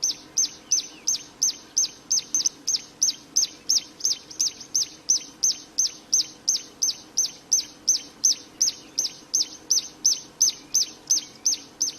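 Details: Wild Plain prinia giving a long, relentless song of high, clipped, repeated notes at a steady three per second, continuing for over ten seconds without a break.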